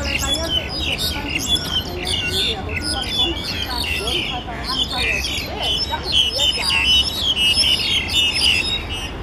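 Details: Black-collared starlings recorded 21 October 2012 give a dense, overlapping chatter of harsh squawks and bright whistled notes, with a low background rumble.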